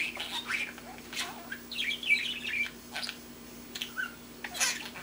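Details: Baby male budgerigar kept as a pet, learning to talk, babbles in a busy stream of chattering, warbling chirps and scratchy squeaks with few gaps, recorded indoors over a faint constant hum.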